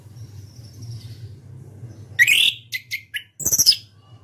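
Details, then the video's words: Orange-headed thrush, a national champion competition songbird, singing bright, varied, high phrases: a slurred warble, then quick chirps and a rich burst, over a low steady hum. "KICAU ANIS KEMBANG NGEPLONG"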